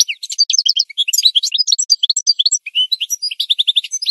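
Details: Goldfinch song intended to train birds: a loud, busy, nonstop cascade of sharp chirps, tinkling notes and short trills throughout, high and bright, on a clean background.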